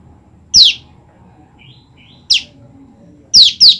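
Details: Female olive-backed tailorbird, separated from its male, calling continuously for its mate: sharp, high notes that slide steeply downward. One single note is followed by another, then two in quick succession near the end, over a faint low hum.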